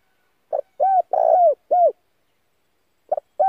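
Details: Spotted dove decoy bird calling to stir up and lure wild doves: a brief clipped note, then three low mellow coos with falling ends, the middle one longest, and the next phrase starting after a pause of over a second.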